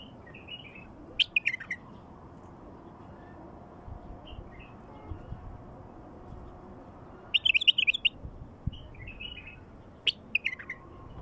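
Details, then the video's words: Wild bulbul song, used to set other wild bulbuls singing: three short bursts of bright, warbled, whistled notes a few seconds apart, with the middle burst the loudest. Quiet gaps fall between the bursts over a faint low hum. "تغريد بلبل وحشي لفتح البلابل الوحشية"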